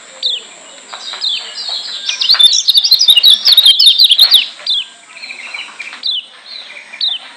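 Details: Lombok white-eye (kecial kuning Lombok), a masteran training recording meant to provoke other white-eyes: rapid, insistent chattering of high twittering notes swelling to a dense two-second burst, with sharp downslurred chips before and after.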